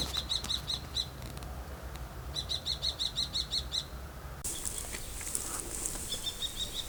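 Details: Common kestrel calling: rapid runs of sharp, high, clipped kee notes, about six to eight per burst, in two bursts separated by a pause, then a fainter run near the end over steady background hiss.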